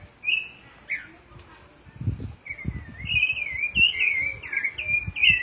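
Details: Rufous-bellied thrush singing in nature. A couple of isolated whistles are followed by a rapid, rising, warbling run of slurred notes, over low thumping background noise.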